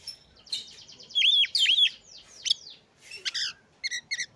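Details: Oriental magpie-robin singing to provoke others: rapid buzzy trill leading into loud looping whistles, then short sharp chips in pairs.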